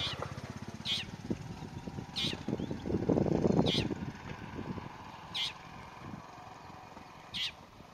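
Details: Long-tailed shrike calling in Saswad Grasslands near Pune, India: short, harsh, scratchy notes repeated about every one to two seconds, five in all. A low rumbling engine-like drone fills the background, loudest in the middle.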